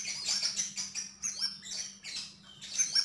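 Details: Sogok ontong (Javan grey-throated white-eye) in lively gacor song: dense, very high twittering notes with sharp whistled slurs, running almost continuously, a faint low hum beneath.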